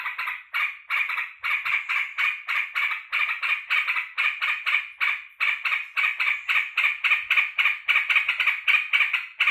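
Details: Sooty-headed bulbul kept by its owner, joyfully welcoming him home from work with a long, unbroken run of loud, scratchy chattering notes repeated quickly and steadily, roughly four per second.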